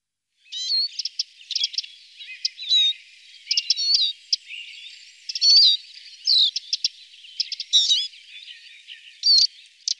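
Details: Eurasian siskin feeding on alder cones, giving high chirps, short twittering bursts and rising whistled notes between brief pauses; nothing else heard.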